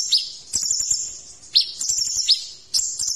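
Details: Kolibri ninja sunbird tutor song with strong, sharp phrases. High, piercing, buzzy trills come in quick runs, each opened by an abrupt downward-swept chip, repeating several times.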